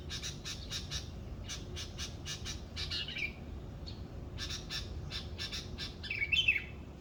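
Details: Morning birdsong in Indonesia: rapid series of harsh, scratchy squawking notes in bursts, with a short high whistled note after three seconds and a louder twittering flourish near the end, over a low background rumble.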